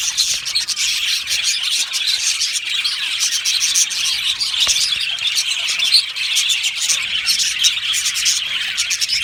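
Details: Aviary full of budgies singing and chirping, rapid high tweets and warbled phrases merging into a continuous lively chorus.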